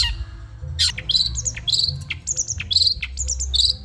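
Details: Long-tailed shrike of the Madura type, on a training recording for caged birds. Rapid, varied phrases mix sharp downslurs with trilled, twittering notes and short high whistles, repeated in quick bursts over faint low noise.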